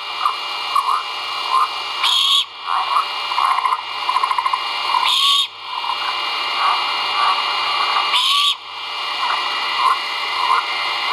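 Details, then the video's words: At a live-camera great horned owl nest at Skidaway Audubon, 1.04.2022, chicks call during feeding: three raspy screeches spaced about three seconds apart, with quieter chattering notes in between and continuous background hiss. "FOOD. CHICKS VOCAL ) LIVE CAMERA GREAT HORNED OWLS NEST."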